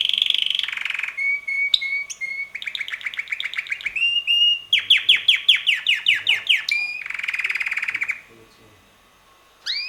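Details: Six-month-old red male canary whose song shifts a little each week; rolling trills, steady whistled notes and a long series of fast downward-sweeping notes, then a pause before a new phrase begins.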